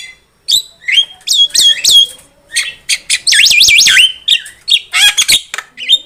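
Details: Javan myna song meant as a trapping lure: fast chattering bursts of whistled notes, including a rapid wavering trill in the middle, then clipped chips and a final rising whistle.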